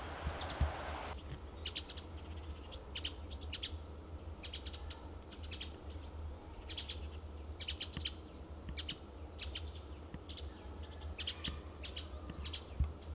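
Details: Adult male Western bluebird perched in pine trees in Del Monte Forest, California; brief high chips and short clicky notes repeat irregularly over a steady low rumble of background noise.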